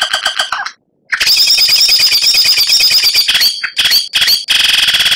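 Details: White-rumped shama (murai batu) master training song from Indonesia, used to tutor captive birds for singing contests, rich in tembakan and kretekan phrases. Loud, rapid harsh rattling notes, a brief pause, then dense buzzy bursts with high whistled tones.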